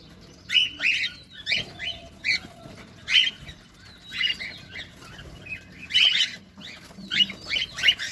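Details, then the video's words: Cockatiels feeding, recorded close up: bursts of bright, harmonic chirps rise and fall in quick clusters, with short pauses between groups and some faint wing or cage rustling. "Cockatiel bird.Feeding close up! II কোকাটেল পাখি II"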